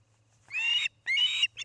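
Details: At a Montana nest near Charlo, a nest-cam osprey on an evening in late August 2018 gives two harsh, strained screeching calls, each under half a second, followed by a short clipped note.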